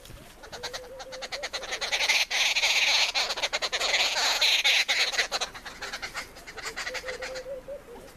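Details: Arrow-marked babbler eating at a campsite: harsh, raucous, broadband chattering that swells loudly for several seconds, then fades into quieter scratchy calls, with rapid irregular clicking pulses throughout.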